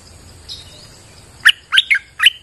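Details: Streak-eared bulbul (nok dok taeng), kept as a singing bird, on a rainy day: after a faint thin whistle, a few loud quick chirped notes follow one another closely.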